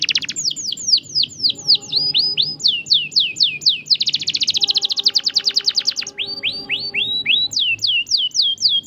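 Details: Canary singing to encourage a silent canary: loud slurred down-sweeping whistles in quick series, a dense rapid rolling trill in the middle, then rising and falling whistled phrases again.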